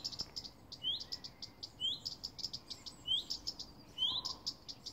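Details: Two Common Redstarts in a garden giving alarm calls for hours: rising whistled 'hweet' notes mixed with rapid, high, dry ticking, repeated steadily over low background hum.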